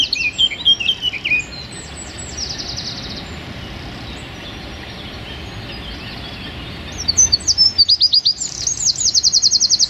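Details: A wren recorded for training cage songbirds delivers rapid 'tembakan' song. Descending high chatter opens, then a short buzzy trill. After a long near-silent pause, a crisp, evenly spaced high trill of about a dozen notes ends the passage.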